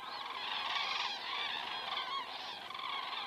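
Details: Common cranes overhead at 19:10 on 19 September 2017, recorded by a crane camera in Estonia; a close flock gives a continuous tangle of rolling, trumpeting calls, loud throughout the short stretch.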